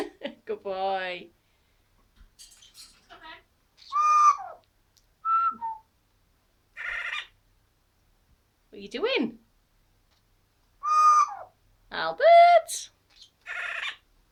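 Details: Captive Amazon parrot in a small room producing varied crazy noises: short whistled notes, buzzy harmonic squawks and rising-falling call fragments in separate bursts about every second or two, with pauses between.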